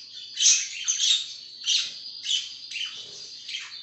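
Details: Budgerigar warbling continuously, a run of high, squeaky chirps and rasps rising and falling in loudness every half second or so.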